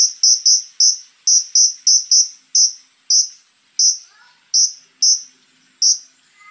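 Konin giving harsh, high, hissing bursts, about one every half second at first and then slower. A few faint lower whistled notes are heard near the middle.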